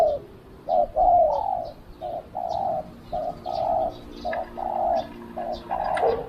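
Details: Spotted dove decoy bird calling to lure wild doves, a long series of cooing notes in short and longer phrases, some doubled, repeated steadily over several seconds with faint chirps of other birds outdoors.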